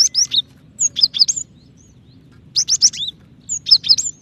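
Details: Cinereous tit female calls the male with rapid clusters of bright, high whistled chirps, four bouts in quick succession, each note sliding down in pitch.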